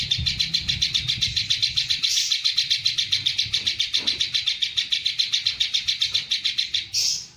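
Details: Greater green leafbird delivering a 'tembakan panjang' long-shot song with kingfisher fill-in: an unbroken stream of quick, high, shrill repeated notes, about two or three per second, ending in a brief louder burst.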